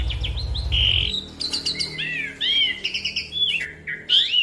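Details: Asian pied starling (Gracupica contra), song: prompting other birds to sing.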